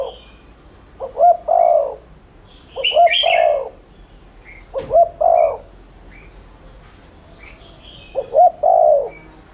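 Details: Spotted dove giving rapid 'thúc liên thanh' cooing, used as a lure to stir other doves to coo: four low phrases, each two short rising notes then a long mellow coo, roughly every two to three seconds, with faint higher chirps between.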